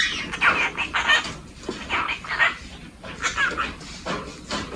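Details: Cockatiel, a male, chattering to itself while waiting quietly indoors during room cleaning: a run of soft scratchy warbled syllables and short squeaky notes in uneven bursts, with faint low household noise beneath.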